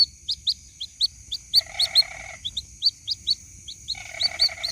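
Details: A white-breasted waterhen chick calls its mother in this lure recording with bright, upward-flicking peeps in steady series. Two stretches of a lower harsh buzzing overlap the peeps, over a faint constant high whine.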